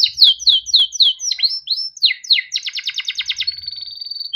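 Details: Canary song as a tutor recording for young canaries: a run of downslurred chirps, swooping notes, a rapid rattling trill, and a final long flat whistle.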